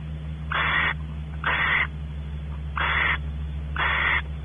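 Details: Barn owl pair at Audubon Starr Ranch, California, the male inspecting the nest cavity and the female expecting mating. Four broad, wheezy hiss-screeches, each under half a second, are separated by short gaps, with a low humming background.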